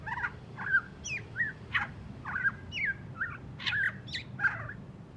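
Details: Rough twittering from a white-rumped shama fresh from its moult: harsh, mid-pitched chattering notes repeated about twice a second, each short and scratchy, forming a steady rhythmic series.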